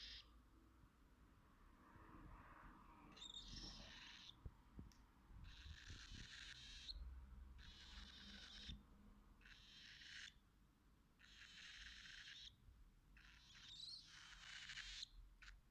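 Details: An albino pet cockatiel gives harsh, screechy calls in bursts about a second long, with brief whistled notes mixed in.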